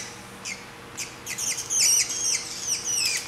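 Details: Three-week-old grey treepie chick being hand-fed in southeastern Taiwan, giving rapid high squeaky begging cries that grow louder and more insistent toward the end, with a faint steady hum in the background.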